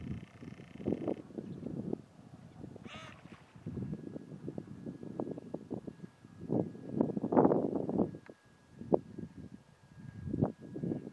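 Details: Red-breasted Merganser at the Izliv Soče nature reserve on 17 March 2023, giving low, harsh, croaking calls in rough bursts almost without pause over a faint steady hum.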